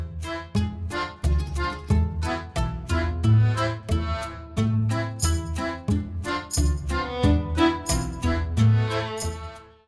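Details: Instrumental music with bowed strings and accordion-like chords plays throughout, with no animal sounds.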